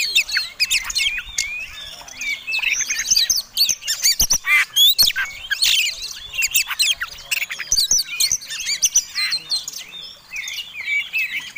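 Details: Oriental magpie-robin singing a fighting song used to provoke other birds: dense, varied high whistles, chips and harsh squawky notes tumbling rapidly with sharp clicks between phrases.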